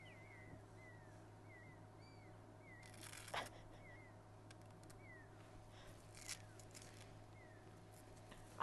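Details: Two Pearl-spotted Owlets calling on a July 2011 morning in Djuma Game Reserve, South Africa, soft, high, downslurred whistles about every second, with faint hum and knocks; a fork-tailed drongo also calls nearby, possibly mimicking them.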